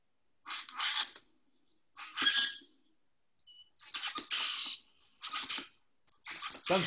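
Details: A Common Grackle among northeastern songbirds gives harsh, squeaky, rasping bursts in short clusters about a second apart, high and scratchy, with a brief squeal between.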